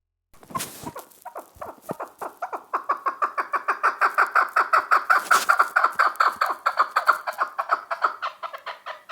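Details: Chukar partridge calling: a long series of short, harsh clucking notes, starting sparse and building into a steady, rapid run of evenly spaced chuk notes that grows louder toward the end.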